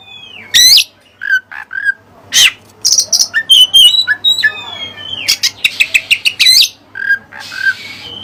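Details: Singing oriental magpie-robin with learned Cililin material: fast sequences of sharp whistles, rapid repeated clicking notes, scratchy buzzes and clear slurred phrases, varied and continuous.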